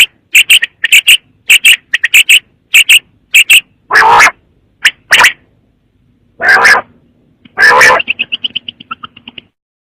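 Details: A quail gives a fast run of short, high, paired chirps, then several longer harsh bursts, ending with a quick fading series of soft clicks.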